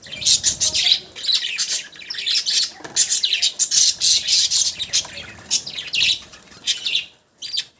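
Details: Pet budgerigars chattering: dense, rapid scratchy warbles and chirps in a continuous high-pitched stream, with brief pauses near the end.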